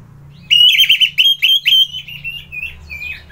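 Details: Orange-headed thrush delivers a rapid string of strong, rolling whistled notes that gradually soften into a few quieter, lower whistles, with a faint hum underneath.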